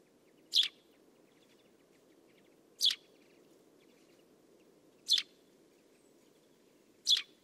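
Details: Eurasian Tree Sparrow giving a series of four short, sharp, buzzy chirps, each spaced about two and a quarter seconds apart, over a faint low background hum.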